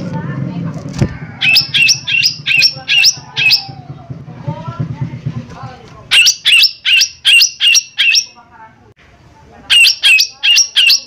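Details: Cucak ijo mini, used as a lure to prompt singing: bursts of loud buzzy notes repeated in quick, uneven series, with low murmuring and soft chirps in the gaps.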